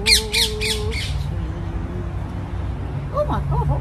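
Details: A parakeet in a garden, its sound first mistaken for a flying lizard, gives a burst of four harsh, rapid squawks, then more scratchy calls near the end, with a person's voice and garden background throughout.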